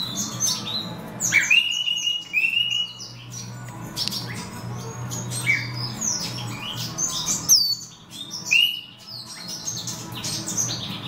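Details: Female black-throated serins (Crithagra atrogularis somereni) breeding in an aviary with chicks a few days old: bright, sharp chirps and short up- or down-slurred whistles in irregular bursts over a steady low indoor hum.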